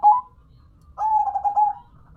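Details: Zebra dove, local type kept as a hobby bird, giving a brief clipped note followed by a longer rolling, wavering coo lasting about a second; quiet surroundings.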